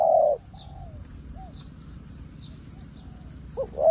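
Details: Spotted dove kept as a decoy to call wild doves: a loud hoarse coo opens, softer distant coos follow through the middle, and a rising double note begins a new phrase at the end, with faint chirps overhead.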